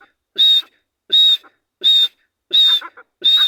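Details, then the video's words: Grey francolin in jungle during breeding season, free-roaming, repeating a shrill, strident whistled note five times in steady rhythm, roughly every three quarters of a second, with faint low chuckling notes after some calls. "beautifull dhakni ki awaz /jangal man azad phirta hoa /teetar sound"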